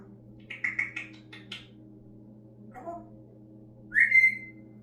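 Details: Pet parrot indoors, said to talk, whine like a puppy and burp: a few short buzzy chirps, a soft low rasp, then a loud rising-falling whistle over a steady low hum.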